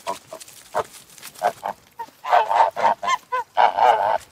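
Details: Goose on a farm honking in a rapid run of nasal, harsh calls, sparse at first, then a dense burst of about a dozen loud honks in the second half.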